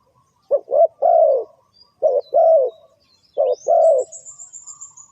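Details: Lure call of a spotted dove for bird trapping: three cooing phrases, a quick double coo then a long descending note, and a thin high whistle trailing at the end.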